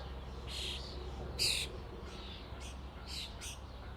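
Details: Common starlings in a flock give rasping, noisy calls in short bursts. One loud screechy note stands out early, with softer chatter after it, above a low constant hum.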